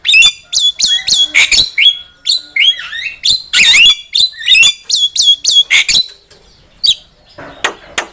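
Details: Song of a Javan myna meant to lure birds for trapping: dense, high, scratchy chatter with squeaky whistled slides and harsh bursts, then a quieter close with scattered clicks.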